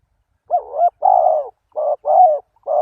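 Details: Spotted dove calling as a decoy to lure wild doves: a clear series of low hollow coos, some short and some drawn out with a gentle fall, separated by brief silent gaps, no other sounds.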